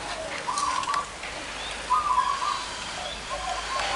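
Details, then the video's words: Zebra doves, several with big and small voices, gathered at one spot sought by bird trappers; two short trilled, stuttering coo phrases at a steady mid pitch, each about half a second, over a hissing, rain-like background with faint chirps. "PERKUTUT SUWARA BESAR DAN KECIL NGUMPUL DI LOKASI INI"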